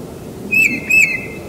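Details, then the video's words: A tufted titmouse singing in spring at a house, where the species began appearing about five years ago, gives two clear, level whistled notes about half a second apart, bright and fairly high, against a quiet background. "Tufted Titmouse Singing"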